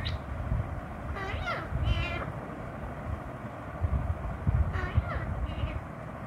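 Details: A ringneck (rose-ringed) parakeet says "Pappa" in two short, raspy, high-pitched bursts about three seconds apart, over a steady low rumble.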